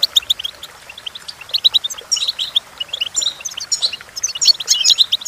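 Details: Goldfinch singing as a training recording for goldfinches: clipped high chirps build into dense, jangling twittered phrases that grow louder toward the close.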